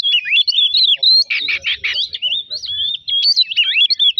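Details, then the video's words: Oriental magpie-robin singing, a recording used to provoke singing in other birds; fluid whistled warbling with rising and falling slurs, broken by a cluster of harsh scratchy notes near the middle. "pemancing emosi burung kacer"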